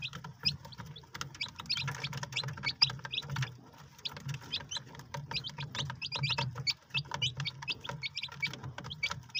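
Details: A group of white Polish chicks keeps up a busy chorus of short, thin peeps, dense and continuous, backed by a constant low hum and sharp tapping sounds throughout.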